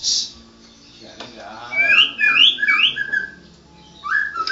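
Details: White-rumped shama, a national contest winner, gives a short hiss, then a cluster of bright rising and falling whistles and a few lower slurred notes, over a soft background murmur.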